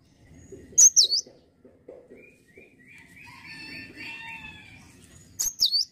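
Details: Cinereous tit singing actively, two high ringing down-slurred whistled phrases several seconds apart, with faint softer chirps and tonal notes from the background in between.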